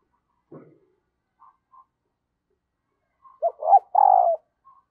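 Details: Female dove calling to excite the male, drawing in a wild bird: after faint scattered notes, one cooing phrase of short soft notes ends in a louder, drawn-out coo.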